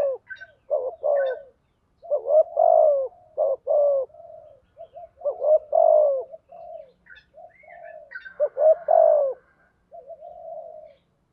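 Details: Spotted dove, male and female, calling for training and luring birds: repeated phrases of short, rising coos ending in a longer falling coo, with softer trailing notes and a few high chirps in between.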